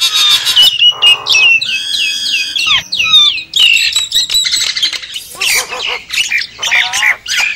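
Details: Javan myna lure sound: squawking, nasal whines and bright whistled phrases, with rasping bursts and sharp clicks between them, busy and uneven.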